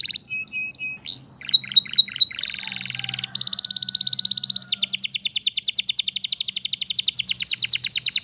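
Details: Canary singing in the wild: a varied, fast song opening with high whistled and sharp chirped notes, shifting into buzzy repeated syllables and then a long, rapid trill of about eight notes a second, with a soft low hum underneath.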